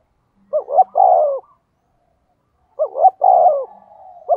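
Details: Spotted dove decoy bird with a 'giọng thổ' style voice, calling to rouse wild doves. Two cooing phrases over two seconds apart, each of short rising notes and a long falling coo, with silence between.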